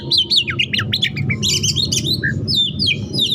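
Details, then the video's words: Hot-tempered caged Oriental magpie-robin delivering dense mimicked fillers: rapid high whistles sweeping up and down in quick succession, with a short low whistle near the end, over a steady low rumbling background hum. "KACER TIPE PANAS NEMBAK ISIAN SUARA RAPAT"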